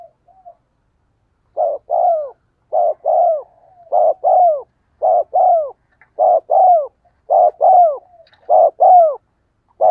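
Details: Spotted dove cooing in the rural 'giọng đồng' voice, used as a decoy to make wild doves coo back: low hollow coos in close pairs, each pair about a second apart, repeated steadily in a quiet setting.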